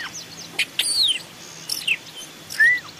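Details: Long-tailed shrike (Lanius schach) song recorded in forest as a decoy/training call: a few clear, slurred whistles, some falling and one arched, mixed with short sharp chips over a faint background hum.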